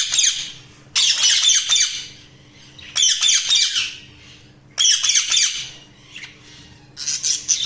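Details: Budgerigars chirping in loud scratchy chattering bursts about every two seconds, each a cluster of buzzy warbled notes with quieter twitters between; a low steady hum runs throughout.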